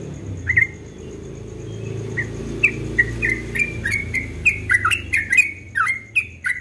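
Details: Dawn song of a yellow-vented bulbul in ropel style: soft opening whistles building into a faster series of bright, bubbling notes, over a low background hum.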